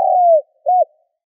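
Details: Spotted dove call for luring wild doves: a long, smooth, slightly falling low coo followed after a short pause by a shorter arched coo, clean with no background sound.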